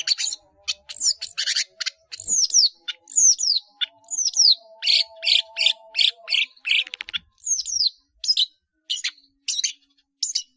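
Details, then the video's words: Caged long-tailed shrike singing with many filler phrases for training caged birds: high downslurred whistles mixed with harsh buzzy notes in a quick, continuous stream, faint tonal hum behind. "CENDET GACOR ISIAN BANYAK"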